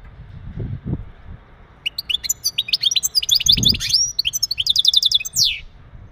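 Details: Male European goldfinch singing mating calls to ready a female for breeding; after a short pause comes a rapid, liquid twittering run of high chirps and slurred notes, ending in a fast trill and a descending buzzy note, with faint low rumble.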